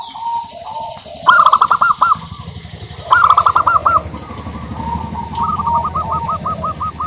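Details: Local zebra doves, wild stock, in lively song meant to lure other doves into singing: two loud phrases of rapid, stuttering, bubbling coos with a rolling ending, while further doves coo softer series in the background.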